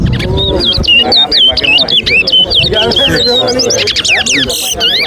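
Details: Towa towa whistling during a bird whistling competition between two birds at Alligator Pond, Guyana, where whistles are counted; quick rising and falling whistled notes in rapid series, with a crowd talking, laughter and music in the background.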